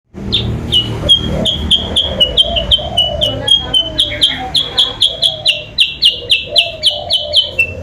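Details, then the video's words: Sooty-headed bulbul lure call used to draw rival birds close: a long series of short, sharp, clipped notes repeated about four per second, with a lower warbling sound underneath. "suara pikat burung kutilang sutra bikin lawan auto mendekat"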